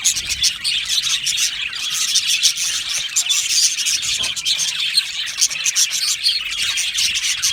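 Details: Australian budgies in an aviary colony, singing and chirping: a dense, continuous wash of high, scratchy chirps and warbles from many birds at once, with no pauses and no other clear sounds.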